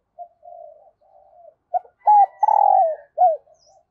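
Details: Early-morning decoy spotted dove calling wild doves: soft, low coos build into a loud phrase of clipped notes, a long throaty coo and a falling last note.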